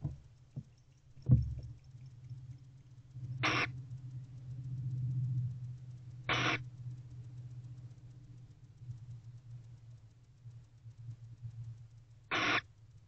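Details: Two barn owls returning to their nest box at night, 9:25 pm on 24 November 2023: three brief, harsh hissing screeches several seconds apart, with soft thumps and a steady low hum between them.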